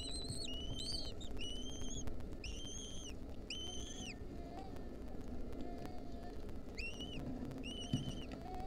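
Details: Lesser kestrel chicks in a wild nest, fed a mouse by their mother in 2023, give a run of shrill, level, rasping begging notes in short bursts, pausing midway, then resuming over steady low background rumble.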